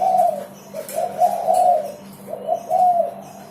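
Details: Persistent singing from a spotted dove, meant as a lure for other birds: short gentle coos leading into a longer drawn note, repeated, with a soft electrical hum underneath.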